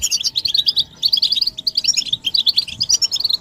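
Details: European goldfinches in a group twittering, used to stimulate silent males to sing; dense bursts of high tinkling, chirpy notes run almost without pause, with one short break near the middle.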